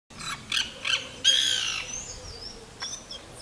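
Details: White Woodpecker (Melanerpes candidus) in an urban garden in São Paulo, Brazil: three short, harsh squawks about a third of a second apart, then a longer, grating screech, with faint thin whistles in the background.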